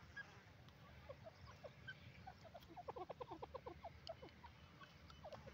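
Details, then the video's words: A Grey Francolin gives a quickening series of harsh, ringing notes that speeds into a rapid run, then trails off, over a steady low rumble. "grey partridge awaz teeter francolin teetar voice"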